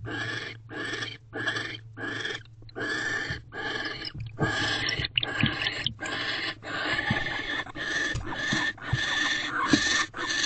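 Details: Barn owl in a nest box, night of 18 December 2023, mating and door-guarding visit; dense, overlapping rasping hisses running almost continuously, growing louder and busier midway, with scraping knocks.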